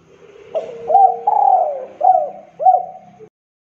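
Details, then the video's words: Lure call of a spotted dove meant to make rival doves call back. A short coo and a hooked note lead into a long descending coo, then two crisp curved coos, over a faint low rumble. "PANGGILAN PANCINGAN SUARA TEKUKUR DERKUKU DERUK GACOR"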